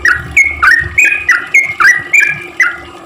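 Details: Sooty-headed bulbul singing actively, used as a lure to make reluctant bulbuls sing: quick chattering 'cuk cuk' phrases of short rising and falling notes, about six bursts in three seconds, over low thumping background noise.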